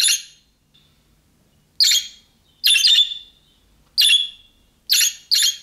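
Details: Budgerigar calling in the style of young birds to get other budgerigars to respond; a fast, irregular run of six rasping, squawky chirps, two in quick succession near the end.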